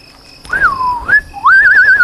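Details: Fiery-necked nightjar calling at dusk as darkness falls in the Lowveld, Rietspruit Game Reserve, South Africa, 19 February 2024: a loud clear whistle that slides down, rises again, then ends in a quavering, wavering trill.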